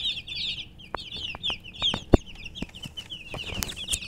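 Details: Domestic chicken chicks chirp loudly and continuously, overlapping high falling peeps from several birds, interrupted by repeated sharp clicks or taps.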